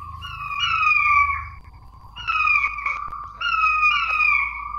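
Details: Lure call of the King quail for luring quail: three bursts of sliding, downward-slurred whistles, each burst of several overlapping falling notes, separated by short pauses, faint low rumble underneath.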